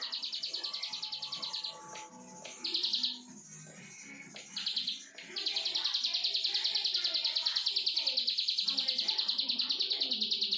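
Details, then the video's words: Plain prinia singing in a long, steady series of buzzy, high pulsed notes repeated about three times a second, with two brief pauses broken by short chattering notes; faint low background sounds. "CIBLEK SAWAH BRENN"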